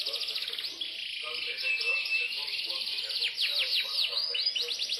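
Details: Imported Yorkshire canary in song: a dense, high, rolling trill that shifts into a sustained buzzy whistle, then into fast repeated sweeping notes. The singing is steady and loud, with faint low murmurs underneath.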